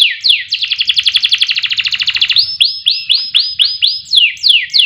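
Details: Canary lure song for training competition songbirds: falling sweeps lead into a rapid dense trill, then evenly spaced arched whistles and a final pair of downslurs.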